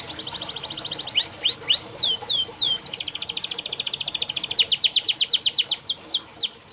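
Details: Canary song used as training audio for canaries that sing little. It opens with a fast high trill, then looping rising-falling whistles and a long even roll of rapid repeated notes, followed by slower downward sweeps.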